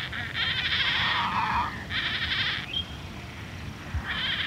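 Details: Painted stork fledglings calling, harsh nasal bursts repeated in short runs, with other birds in the background and distant water birds.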